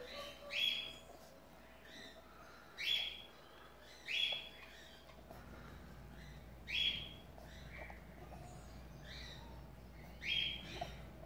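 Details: White-faced cockatiel chicks removed from the nest for hand-feeding: short harsh raspy calls repeated every one to two seconds, each a broad screechy burst, against constant low background noise.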